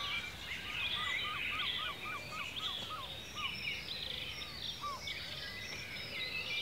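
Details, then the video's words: Birds in ancient woodland in Cornwall, UK: a run of about eight quick, down-slurred whistled notes rises above a dense chorus of high twittering song. "Bird Song in the Forest"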